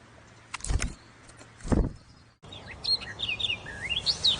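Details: Wild birds chirping: after two low thuds like passing traffic, a quick run of high, twisting chirps rises and falls over a steady background hum.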